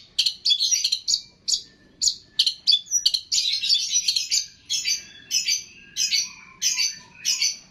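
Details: Long-tailed shrike training recording for imitating other birds: loud, harsh high chattering bursts, each about half a second, repeated roughly every second, with a faint lower whistle near the end.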